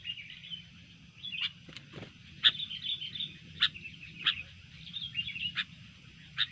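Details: Sooty-headed bulbul provoked into a combative mood, its sharp repeated chips and short warbled phrases heard over a steady low hum and background noise.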